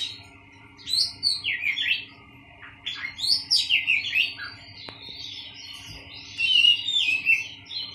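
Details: Skittish caged Oriental magpie-robin housed in a bird colony to settle it and bring it into song sooner, delivering bursts of rapid, varied chirps and bright whistles in phrases broken by short pauses, with one sharp click and faint hum behind.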